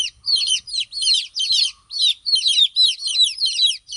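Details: Baby chicks peeping rapidly, clustered high chirps falling in pitch, several birds overlapping in quick bursts separated by tiny pauses.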